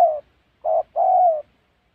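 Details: Spotted dove during trapping in Gia Lai's Central Highlands forest, Vietnam. The tail of one falling coo is followed by a full phrase: a short hoot, then a smooth, drawn-out coo easing lower in pitch.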